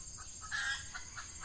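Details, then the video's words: Red junglefowl during a Ramadan trapping session using an F1 decoy hen to lure wild males, in the males' breeding season in hot weather: short soft clucks at irregular intervals around one louder rasping note, over a steady high insect-like drone. "Ayam Hutan Pikat Betina F1"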